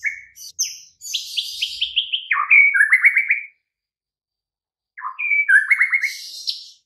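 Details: White-rumped shama master song for prompting silent birds: sharp opening notes, then a long buzzy stuttering trill stepping down in pitch, a pause, and another trilled phrase ending in a harsh high burst.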